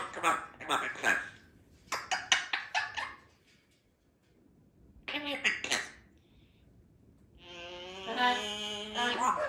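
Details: A female Congo African grey parrot practising phrases like "I'll be back" and "Happy Birthday" talks indoors in short speech-like bursts, ending in a drawn-out nasal utterance, with a person's voice nearby and a Yellow-naped Amazon in the background.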